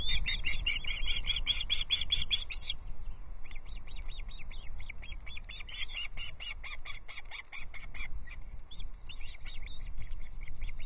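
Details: Osprey chicks at a Loch Arkaig nest on 13 June 2024, three chicks squabbling as an adult brings a huge trout, fifth fish of the day; rapid, harsh, high chirps in dense bursts, pausing briefly, over low wind rumble.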